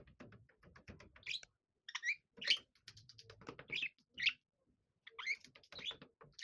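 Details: Pet budgerigars, a six-year-old male and a seven-year-old female, playing together in a bellows tunnel indoors; short warbling chirps and chattering notes come in bursts, with rustling and scraping sounds between them.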